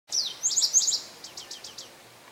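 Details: Male Indigo bunting singing at St. Johns Conservation on May 25, 2022: a brief high, sweet song of doubled, slurred notes, followed by a run of quick descending chips that fades at the end.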